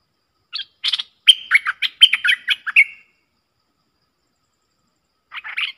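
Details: Streak-eared bulbul from a fiercely dueling pair, recorded 30/10/2021: a bright, clear phrase of chirps and short whistled notes lasting about two seconds, then silence before a brief scratchy reply.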